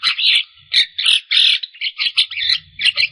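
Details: Javan myna singing in a lively, varied style full of phrases, played to stimulate stressed or quiet mynas; harsh, scratchy chattering bursts in quick succession with short pauses between noisy phrases.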